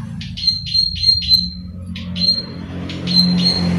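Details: Rice-field plain prinia, a lure bird, repeating quick buzzy clicking notes in short bursts, some softer and more distant, against a low droning background noise that grows toward the end.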